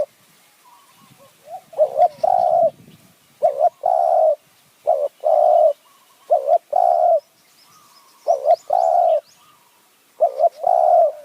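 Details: Decoy spotted dove in high forest, Kanchanaburi, Thailand, used to draw in wild doves with khu ang and nun ang calls. Regular mellow phrases, each a brief bouncing note and a sustained coo, come about every two seconds. Faint rustling is heard early.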